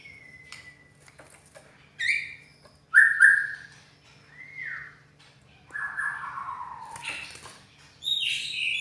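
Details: White-rumped shama singing with a harsh voice, spaced whistled phrases: a thin high whistle, rising and falling slurs, then a longer downward-sliding rough note and a high final phrase, separated by short pauses.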